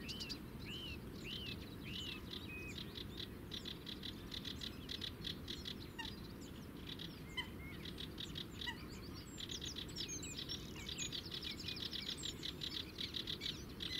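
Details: Sedge warbler in clear song at the Zouweboezem, Netherlands, filmed from afar on a compact camera: a long, restless stream of scratchy chirps, short whistles and rapid ticking notes, varied and unbroken, with constant low background rumble.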